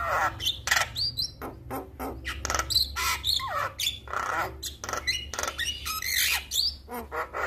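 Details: Male Javan myna calling to other mynas, answered by birds that hear it: a dense run of harsh squawks, clicks and short whistled notes, rapid and irregular, with low hum underneath.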